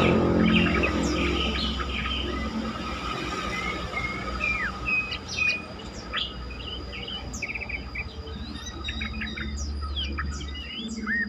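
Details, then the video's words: Yellow-vented bulbul song recording, used as a lure to provoke other bulbuls into singing: bright chirped and whistled notes in quick irregular bursts, with steady low hum and faint insect-like buzz behind. "pancingan trucukan terkomplit sangat bagus untuk membuat trucukan lain lebih gacor"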